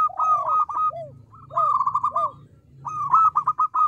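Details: Zebra dove of a local strain in full song, small-voiced yet loud and provoking answers: three bursts of quick rattling coos, each followed by lower curved notes, with a faint low hum underneath.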